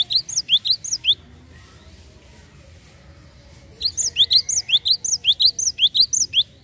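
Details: Java sparrow on a lure recording to prompt untrained birds: a run of crisp upswept chirps, a pause of nearly three seconds, then a longer, steady series of about fifteen rising chirps.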